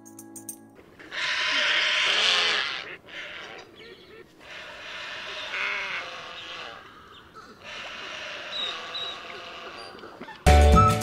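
Intermediate Egret giving harsh, rasping croaks in four drawn-out bursts, each lasting one to three seconds. Brief music opens and closes the sequence.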